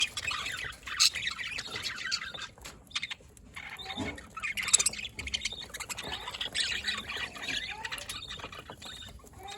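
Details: Budgerigars recorded on 27 October 2023, giving a busy stream of high, scratchy chirps and short warbled notes that overlap almost without pause, with a few louder squeaks standing out.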